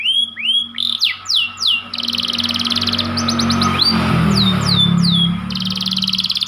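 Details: Panda canary singing over a low rumbling background: curved whistles and rising sweeps, then a long fast trill with sliding whistled notes woven through it.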